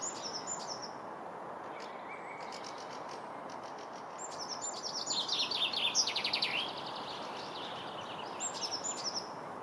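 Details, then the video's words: Common chaffinch at Kurkimäki, Helsinki, Finland, 7 May 2021: one bright, tumbling song phrase of descending notes ending in a flourish, with thin high call notes before and after over steady background noise. "Common chaffinch"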